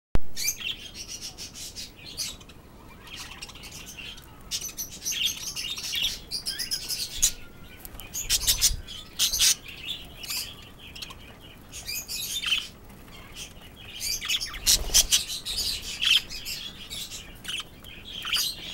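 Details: Budgerigars eating romaine lettuce give quick, high chirps and chattering notes, broken by soft rustling and crunching.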